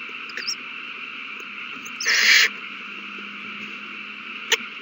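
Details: Owl at the nest during a frenzy over a mouse passed between birds, March 21, 2020. A single raspy hissing screech lasting under half a second, between a few faint clicks, over a steady background hum.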